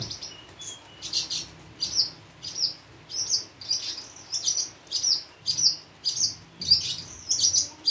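A Javan bush lark sings a busy run of high, sharp chirps and buzzy trills, bursts coming more than once a second with short gaps.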